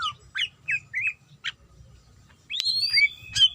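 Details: Female greater green leafbird in breeding condition calling to a male: scattered short chirps and slurred downward notes, then a louder run of high, rising and falling whistled squeals near the end.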